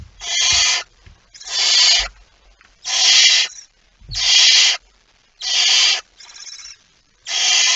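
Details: Barn owl at its nest with prey, recorded on 23 September 2019 just after midnight; harsh, rasping hisses of under a second each, repeated about every 1.5 seconds in a steady series, with faint low thumps between them.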